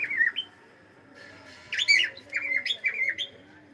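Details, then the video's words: A pet cockatiel saying hello indoors: a short downslurred whistle and rising note, a pause, then a harsh squawk followed by a run of quick chirping, down-bending notes. "is saying hello"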